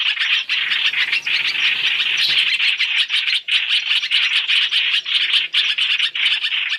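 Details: Lure sound of black-throated laughingthrush, three calls combined for trapping: a continuous wash of harsh, raspy chattering with rapid clicking pulses throughout and only brief dips in loudness.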